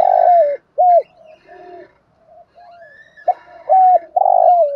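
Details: Lure spotted dove with a good voice cooing to provoke wild doves. Loud hollow coos, some long and falling, others short and arched, alternate with quieter softer coos and faint background sounds.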